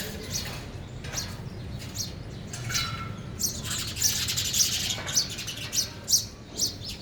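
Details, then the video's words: Sparrows feeding at a bird feeder, a young one among them; short high chirp bursts come in loose, irregular groups, growing denser and louder toward the end, with low background rumble. "sparrow sound effect | ચકલી ઘર | chaklino avaj | sparrow eating"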